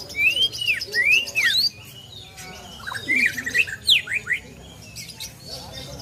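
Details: Greater green leafbird song with plaintive cuckoo mimicry: two bursts of sweeping, arched whistled phrases separated by a short pause, over noisy background.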